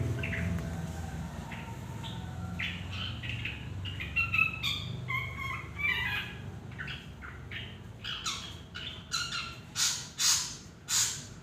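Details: Drongo in Indonesia giving a varied run of short whistled notes mixed with harsh, buzzy squawks, growing louder and more frequent in the second half, over a steady low rumble of background noise.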